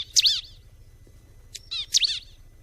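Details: Bar-winged prinia uttering loud, sharp, down-slurred chip notes, one at the start and a pair near the end, with a quieter twitter between them.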